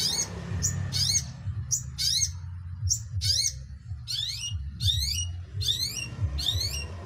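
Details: Long-tailed shrike repeating sharp, rising-then-falling high squeaky notes about once every half second to second, with a low rumbling hum underneath.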